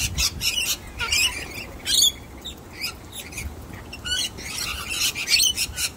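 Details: Young wild sulphur-crested cockatoo, ignoring a person's nut-hiding trick, gives harsh raspy screeching bursts, roughly one per second, some short and clipped, others drawn out, over quiet background hiss.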